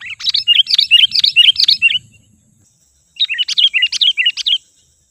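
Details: Lure call of a sooty-headed bulbul for attracting wild birds. Two lively runs of about seven quick warbled notes each, bouncing up and down, separated by a second of silence.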